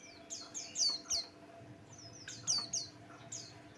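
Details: Buxtoni white-eye song, meant to spark singing in other birds: sharp, high, downslurred chirps in quick pairs and triplets, about half a minute's worth of phrases compressed into rapid bursts, with faint electrical hum.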